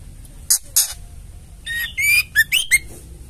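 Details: Ketrekan call of a female white-rumped shama, meant to provoke males into singing: two harsh rasps, then a series of buzzy, harmonic notes with rising whistled tones and quick chatter.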